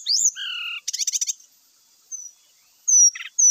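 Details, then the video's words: Brown-chested jungle flycatcher lure song, said to be rich in fill-in phrases: a short rising whistle and level whistled notes, then a quick buzzy chattering burst, then scattered thin high whistles with a brief chip cluster. "pancingan srdc bikin cepat bunyi , sikatan rimba gacor bikin emosi , srdc full isian"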